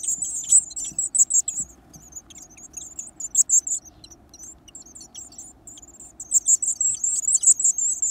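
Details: Hungry Varied tit nestlings being fed big insects give high, thin, fast chattering calls in bursts, dying down midway and then rising again into a steady buzzing chorus.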